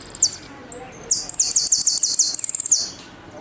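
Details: Argentine goldfinch performing its 'golpe y pitadas' song: a few high chips lead into a fast, rolling series of bright, descending high-pitched notes, then the song fades out.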